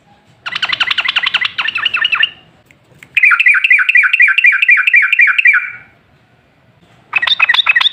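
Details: Yellow-vented bulbul singing a long rolling song, used as a lure to draw other bulbuls into answering song: bubbly, liquid chattered notes in quick runs, one phrase rising then falling, a second sustained run, then another burst after a pause.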